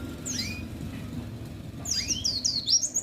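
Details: Oriental white-eye placed by the roadside to encourage singing: one high chirp early, then a quick burst of sharp, high, downslurred notes near the end, over low background rumble.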